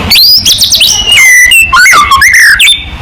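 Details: Vigorous white-rumped shama song played to prompt other shamas to sing back: dense run of loud, pure whistles sweeping steeply up and down, with some buzzy rapid notes between phrases.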